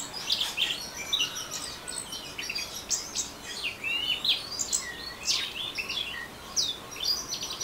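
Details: Rapid ngeriwik-style singing by an orange-headed thrush, high twittering notes and scratchy bursts mixed with short downslurred whistles, delivered as a nonstop chatter over several seconds, with light environmental noise.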